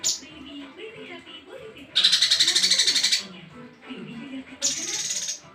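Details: Song of a male cungko, with rich varied phrases suited to tutoring other birds: one harsh, fast-pulsed buzzy rattle lasting over a second, then a shorter, higher hissing burst. Soft low murmurs continue behind it.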